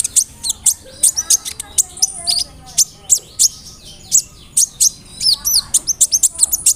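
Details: Steady stream of piercing high chips and quick down-slurred whistles from a brown-throated sunbird (kolibri ninja), delivered as a lure song in roll nembak style filled with cricket, cililin, sparrow and cerr sounds.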